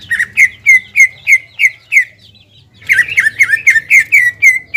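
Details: Singing to provoke a rival, a caged greater green leafbird gives a run of clear, downslurred whistles, then a short silence and a busier, buzzier burst of notes, over a low background hum.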